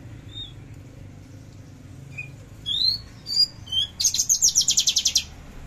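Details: Song of a Javan bush lark (branjangan javanica) in trotol and tembakan style, recorded 13 December 2022: scattered thin whistles, three loud rising slurred notes, then a rapid rattling high trill of about a dozen pulses.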